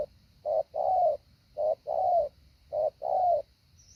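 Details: Training decoy spotted dove calling three times, each a short coo followed by a longer smooth one, with slightly longer pauses between pairs.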